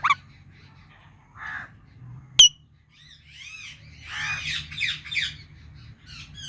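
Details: Indian ringneck parakeet, a talking pet parrot, with scattered short chirps and one sharp click, then a burst of loud, harsh, rasping squawks repeated in quick succession over a low background hum.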